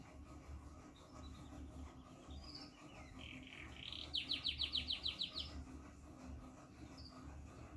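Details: Caged pair of Yorkshire canaries ready for breeding. A few high chirps and warbled notes build into a fast, even trill of about nine bright pulses over roughly a second, then scattered high notes again, all over a steady low indoor hum.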